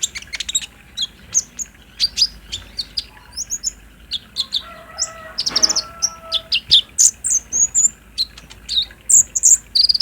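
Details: Sunbird song played around midday to trigger a captive bird to respond: quick, high, sharp chips and squeaky twitters repeated about three times a second, with a brief softer noise burst midway.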